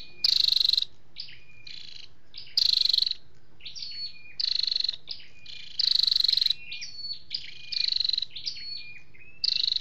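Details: Flowerpecker, male and female calling together: loud rattling buzzes recurring about every three seconds, with clusters of sharp high chips and slurred whistles between them and a quiet hiss behind.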